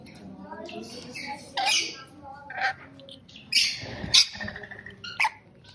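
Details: Rainbow lorikeet calls: a handful of shrill, raspy squawks, each a brief burst, separated by lower background murmuring.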